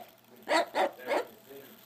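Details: A 5-year-old female cockatoo gives three harsh, rasping barks in quick succession, mimicking a dog; she has two barks, one realistic and one fake.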